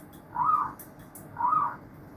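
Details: Two rich, rolling coo bursts from a chorus of many zebra doves, about a second apart, with faint clicks between them.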